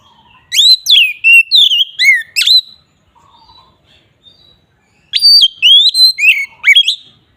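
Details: Ngeplong song of an Oriental magpie-robin, played as a lure: two loud phrases of whistled slurs, rising sweeps and abrupt notes, with a soft quiet stretch between them.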